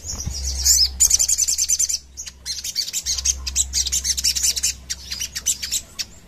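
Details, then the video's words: Sogon (crimson sunbird) in energetic gacor song, the rapid 'nembak ngerap' style, used as a lure and master recording for training birds; dense, very high-pitched twittering in quick bursts with short gaps. "Suara Sogon gacor nembak ngerap"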